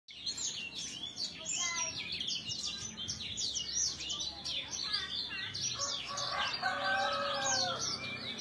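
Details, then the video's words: Sanger bird, described as fussy, giving a dense, busy stream of sharp high chirps and twittering notes with little pause. Some lower whistled phrases break through near the end. "Sanger suara rewel"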